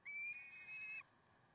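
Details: Peregrine falcon at Karlsruhe on 30 May 2010 at 6:56. A single thin, even, whining note lasts about one second and ends abruptly. Faint background hum.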